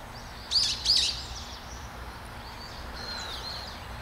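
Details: Great spotted woodpecker recorded in Hanbam Village, Daeyul-ri, Bugye, Gunwi, Korea: two abrupt, harsh, percussive call notes about a third of a second apart, then faint twittering from other birds over quiet rural ambience.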